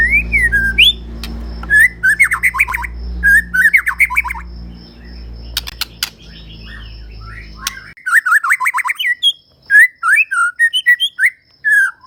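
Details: ['White-rumped shama, Medan type, in full vigorous song: loud varied phrases of rising whistles and rapid stuttering note clusters, with short pauses and sharp clicks. A low background hum drops out partway through.']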